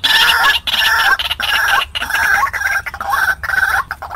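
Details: Lure recording of a white-breasted waterhen used for trapping: loud, grating notes repeated about ninety-five times a minute, in short rhythmic phrases broken by brief silences.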